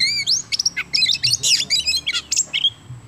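An Oriental magpie-robin sings a rapid, varied run of high clear whistles, sweeping slurs and sharp chattering notes, barely pausing between phrases.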